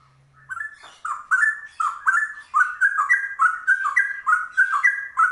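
Straw-headed Bulbul giving a rich, rapid run of bubbling, fluty whistled notes, rising and falling continuously between low and mid pitch.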